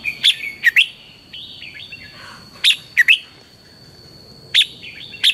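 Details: Morning song of a red-whiskered bulbul meant to spur caged birds to sing: short, clear, whistled warbling phrases in pairs every two seconds or so, with soft chatter between and a continuous faint high whine.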